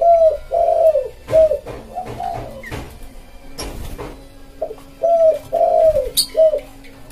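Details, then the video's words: Spotted dove song used as a lure for wild birds, described as a pédo élem voice with smooth manggung tone: low hollow coos in short phrases, two bursts of several notes separated by a pause, with sharp clicks and a faint steady hum. "Suara Tekukur buat pancing burung liar"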